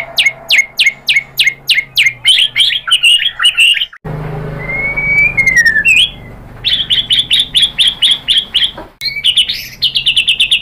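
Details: White-rumped shama song used to provoke other birds into singing: loud sharp notes repeated about three per second, then a rising whistled slur, then further rapid repeated phrases, over a low background hum.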